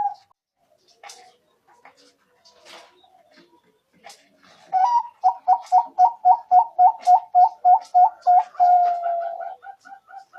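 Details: Zebra dove call used to lure birds for trapping: quiet clicks and soft sounds, then a fast series of about fifteen clipped, rhythmic coo notes ending in a long, falling, trailing note.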